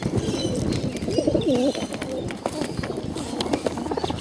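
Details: A hungry bottle-fed pigeon gives a short wavering, looping call midway through, surrounded by steady rustling, clicks and faint higher chirps.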